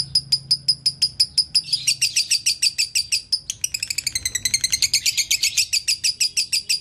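A lovebird chatters nonstop in fast, high, squeaky chirps, about three or more a second, growing denser and more tangled toward the end.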